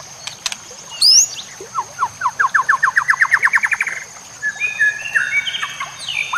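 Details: A White-rumped shama, in a recording used to train other shamas, with nature sounds and trickling water. It gives a rapid accelerating series of sharp notes that rise in pitch, then long clear whistles, over a steady high background tone.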